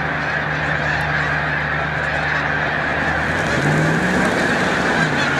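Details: Snow geese at Montezuma, New York, 7 March 2022, taking flight during near-peak migration; an unceasing din of nasal calls from a large flock that swells slightly toward the end, a low hum beneath.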